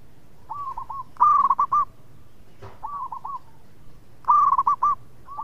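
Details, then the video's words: Sweet-voiced local zebra dove, an eager singer said to draw others into calling, gives loud stuttering coo phrases of four or five notes about every three seconds. Softer answering phrases come between them, and a brief knock is heard. "PERKUTUT LOKAL GACOR SUARA MERDU TUKANG PENGUNDANG BUNYI"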